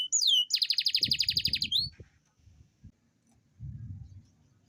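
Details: Captive Atlantic canary with a long rolled song used as a stimulus for lazy singers: a quick sweeping note, a fast pulsing trill lasting over a second, then near silence with faint low background rumble.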